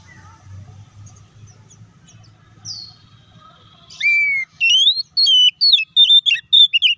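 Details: Oriental magpie-robin lure song for goading a quick, aggressive reply: after about four seconds of near quiet with low hum and one faint high note, a loud rising whistle opens a burst of sharp, varied whistled phrases.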